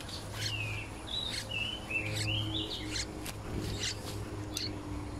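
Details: Yellow-vented bulbul (Pycnonotus goiavier) chick begging while its mother feeds it at the nest: high, slurred chirps and short whistles, about two a second, over a steady low hum and faint background tones.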